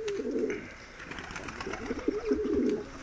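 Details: Medium-sized diving tumbler pigeons coo in a continuous bubbling, warbling murmur at mid pitch, densest at the start and again near the end.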